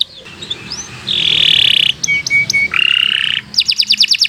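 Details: Canary song used as a training master for young birds: long steady buzzy trills held near one pitch, a few short clear whistles in between, then a fast sharp rattling trill at the end.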